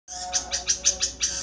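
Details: Long-tailed shrike of the nogosari type singing: five harsh, bright notes in a quick even series, about one every sixth of a second, with a faint low hum beneath.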